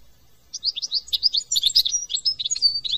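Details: European goldfinch, France, delivering a lively tinkling song of quick high chirps and short whistled notes after a brief quiet start.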